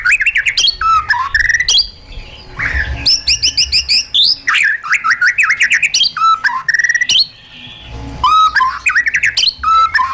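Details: White-rumped shama in a cage singing wild-style song for training: loud bursts of rapid repeated chattering notes alternating with rich rising and falling whistles, phrases separated by brief pauses.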